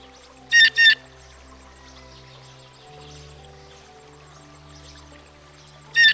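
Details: Blue Jay, a familiar American backyard species, with a pair of short, harsh, broadband calls in quick succession and a third matching call about five seconds later, over gentle background music.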